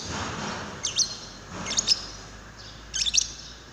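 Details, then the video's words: Lure calls of a lovebird aimed at prompting another to sing: three bursts of rapid shrill chirping about a second apart over a low background hum. "Pancingan love bird paud"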